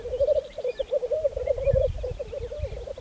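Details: Black grouse at a spring lek on Saaremaa, Estonia, in 2014: a steady, low bubbling, cooing rookoo rolls on without pause, wavering in pitch, over soft low rumbling background noise.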